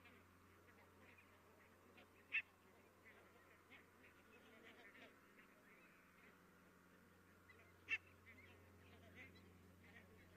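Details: Many barnacle geese calling in the distance, Estonia, 22 October 2017: faint, scattered yelping calls over a low steady hum, with two louder sharp calls standing out.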